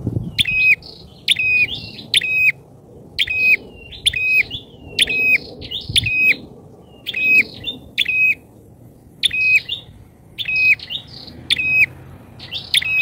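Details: Lure call of a bar-winged prinia, loud and insistent: rapid high chirping notes, each a brief flat tone capped by a sharp flick, repeated about once a second for the whole stretch, with faint low background hiss.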